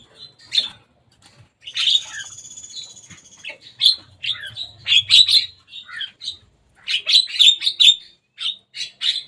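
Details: Javan myna that came to play on top of a cage, giving harsh, squawky chattering notes in quick bursts, some with a buzzy drawn-out stretch near the start, separated by short pauses.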